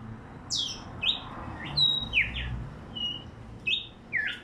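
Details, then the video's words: Bright, sharp chirps from a tumba yegua, each a quick downslurred or flicked note, coming about once every half second in short bursts against a quiet background. "tumba yegua el cantante"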